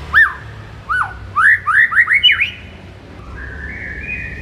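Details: Morning white-rumped shama song used to rouse kept shamas: a row of rich whistled slurs, each dipping then rising, speeding up into a quick run before a faint, drawn-out whistle.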